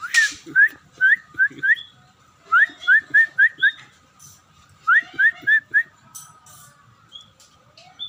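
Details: Scaly-breasted munia starting to sing actively: short bursts of three to five clear, rising whistled notes, the bursts separated by pauses of about a second or more, with faint background clicks.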